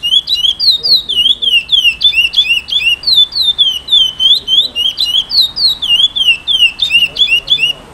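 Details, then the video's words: An 8-month-old pardo (juvenile-plumaged) chestnut-bellied seed finch (curió) beginning to sing gives a fast, clear run of whistled, slurred notes, about three a second, rising and falling in a steady flowing phrase. "Curio praia grande super classico"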